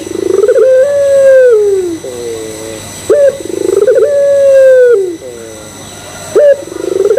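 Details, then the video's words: Lure cooing of a puter pelung Barbary dove meant to set others calling: roughly three phrases, each with a crisp rising note, stuttering trill, long hoot curving downward and a soft two-note tail, steady hum beneath. "Pancingan Puter Pelung Bikin Puter Pelung Yang Lain ikutan Gacor"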